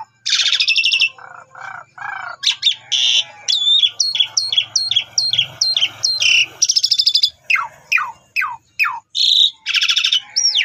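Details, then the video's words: Asian pied starling song played as a lure so that other starlings reply and start singing. It runs for about ten seconds, with harsh noisy bursts, strings of repeated hooked whistles and a series of downward-slurred notes. "Cukup 3 Menit Saja Jalak Suren Bakal Nyaut Dan Ikut Gacor Dengan Pancingan Jalak Suren Ini"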